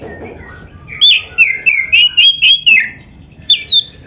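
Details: Master recording of an Oriental magpie-robin (kacer) singing for training other birds: a chain of rich whistled phrases rolling up and down, a short pause, then higher quick notes resuming.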